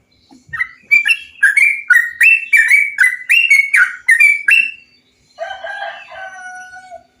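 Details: Bulbul song used as a stimulus so other bulbuls sing: around eleven rich, bubbly warbled phrases in quick succession, then a lower, drawn-out chattering note trailing off at the end.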